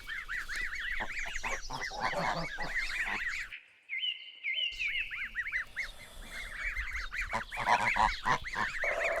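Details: Goslings, young geese, give rapid high peeps, each note arching up and down, in busy overlapping bursts. A brief silent gap falls near the middle, then the peeping resumes with soft clicks and rustles.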